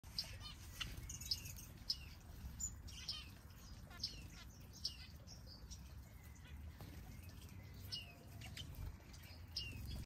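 Finches give short, high chirps and twitters in quick, irregular bursts, several birds overlapping, over a steady low rumble.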